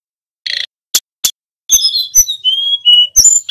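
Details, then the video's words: Male tledekan gunung flowerpecker singing for use as a training lure: a buzzy burst and two sharp clicks, then high thin whistles stepping downward into longer level whistled notes. "Suara tledekan gunung gacor ‼️ Pancingan burung sulingan BAHAN agar cepat bunyi nyiul bongkar isian"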